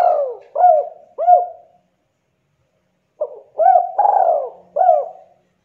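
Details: Spotted dove of the Javanese type, very vocal, "kuk 2" song style: the end of one cooing phrase, a pause, then a full phrase of stuttered, long falling and arched low coos in quiet surroundings.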